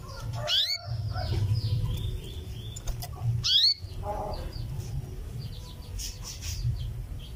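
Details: Calling to a male, a female canary gives two strong rising cuwit whistles about three seconds apart, followed by softer chirps and a low background hum.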